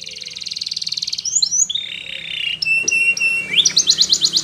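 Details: Belgian canary song for training young canaries: steady buzzy trill, then whistled slurs, a pure held tone with clicks, and a closing pulsed trill, over background hum.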